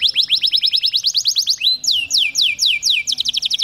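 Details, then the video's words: A male Belgian canary sings, used to stimulate females, a fast trill of high, downward-sweeping notes, then shifts to slower, wider sweeping whistles about four per second. "Canário macho Taghreed para processamento de fêmeas"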